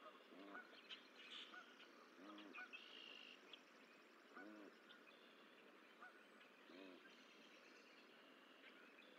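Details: Geese at the Decorah eagle nest, 14 April 2024, while the sixth gosling hatches. Rough, buzzy honks come roughly every two seconds, four in all, over faint chirps and a constant low hiss.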